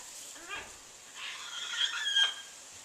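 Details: Large pet bird kept on a back porch, recorded January 4, 2014, calling on and on: a few short, harsh, rising squawks with bright overtones, separated by brief pauses, against steady background hiss.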